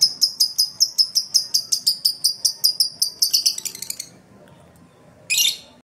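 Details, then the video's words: Male lovebird in long, rapid chatter: a quick string of sharp, high ticking notes repeated about four per second, accelerating into a dense flurry, then a pause and one harsh burst. "lovebird faighter gacor"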